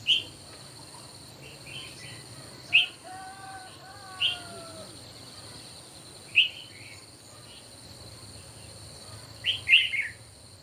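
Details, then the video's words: Red-whiskered bulbuls competing in song in the morning, sharp whistled notes every second or two, closing with a tumbling three-note phrase. Faint descending paired whistles and a steady high tone sit behind them. "Chim Chào Mào Hót Đấu Buổi Sáng"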